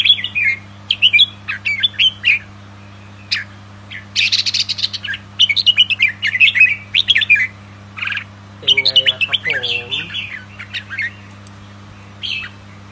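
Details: Red-whiskered bulbul, possibly the young albino bought for breeding pairing, giving bright, rapid chirps and short warbled phrases in bursts, with a steady low hum behind and a brief harsher rasping note.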